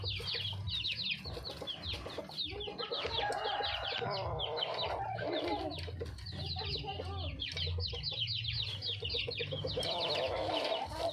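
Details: Wild red junglefowl hen calling for a male: soft low clucking phrases amid a dense chorus of sharp, falling high chirps, with a steady low hum underneath.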